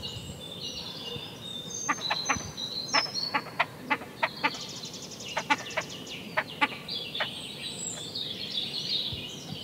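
Great crested grebe giving a string of sharp, dry ticking notes at an uneven pace, over a busy backdrop of high chattering birds.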